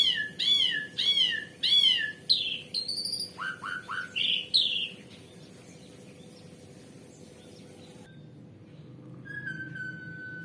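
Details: Asian pied starling, a species kept for its varied voice and its imitations of human speech and other birds; loud ringing down-slurred whistles repeated several times, then lower squeaky notes, fading to near silence with one thin late whistle.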